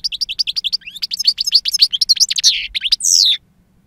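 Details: European goldfinch, two years old, singing in the silvestre wild-song style; quick evenly repeated chip notes speed into a tumbling twitter, ending with a drawn-out buzzy, descending note before silence.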